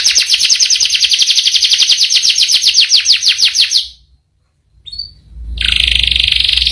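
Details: Canary's long rolling song: a rapid trill of repeated falling notes for about four seconds, a short silence with one faint note, then a steady buzzy trill resuming.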